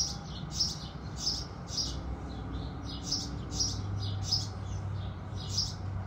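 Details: Bright, high chirps from house sparrows singing at sunrise, about nine in six seconds, some doubled, over a low droning hum.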